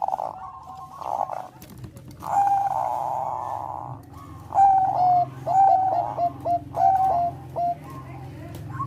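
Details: Bangkok-type zebra dove singing to stimulate breeding condition: mellow mid-pitched cooing notes in short bursts, clustered phrases repeating after a pause, over a low steady background rumble.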